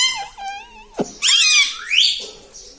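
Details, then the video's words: Pet talking parrot voicing a thin, steady whistled tone, then a sharp click and a harsh, warbling, speech-like phrase that rises toward the end. "Talking Parrot"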